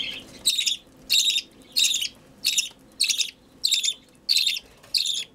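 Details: Budgerigar chick begging while being hand-fed: a steady run of eight harsh, buzzy rasps, each about a third of a second, repeated roughly every 0.6 seconds.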